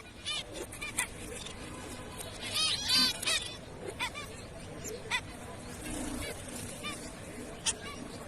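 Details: Zebra finches giving short nasal honking calls with stacked harmonics, scattered irregularly about three per second, the loudest cluster near the middle, over a steady hiss of background noise.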